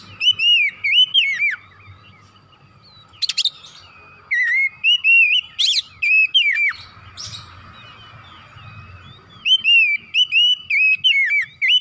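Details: Stimulating 'gacor' song of an Oriental magpie-robin showing its repertoire: rapid trains of looping whistled notes with sharp chips, repeated in several bursts over twelve seconds, a steady thin tone and low hum beneath.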